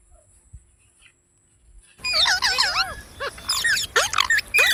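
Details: Green parrot breaking from near silence into a busy burst of twisting, looping chirps and squeaks, rising and falling quickly, delivered in tight clusters for several seconds.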